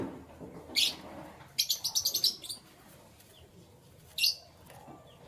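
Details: Canary chirping in the morning: a single bright note, then a rapid string of short high notes, and one more lone chirp after a pause.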